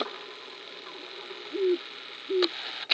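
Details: Sharp-tailed grouse dancing on a display ground at Wainwright, Alberta, in 2015; two short, low, hollow coos that slide slightly downward, each about a fifth of a second, with sharp clicks and a faint hiss between them.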